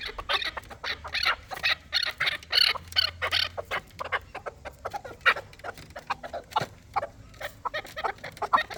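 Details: Fighting chukar partridge calling: bursts of harsh, clucking chuk notes, quick and uneven, some louder runs around the third second, with faint low background hum.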